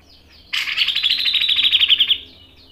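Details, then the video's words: Grey-cheeked bulbul in vigorous song in the styles called mbeset, ngepik and nembak, as a tutor and lure recording: one sharp burst opens into a fast rolling trill of bright, evenly repeated notes lasting about one and a half seconds. "MASTERAN CUCAK JENGGOT GACOR MBESET NGEPIK dan NEMBAK tajam | PANCINGAN CUCAK JENGGOT"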